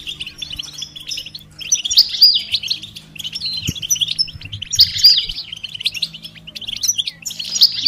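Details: European goldfinch mating and readiness calls meant to prompt a silent male into song: bursts of fast twittering and liquid tinkling notes in short phrases, with a low steady hum underneath.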